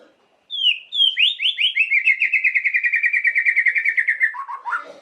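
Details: White-rumped shama song used to provoke emotion: a few high descending whistles leading into a long, fast, steady trill of repeated notes lasting about three seconds, ending in lower slurred notes.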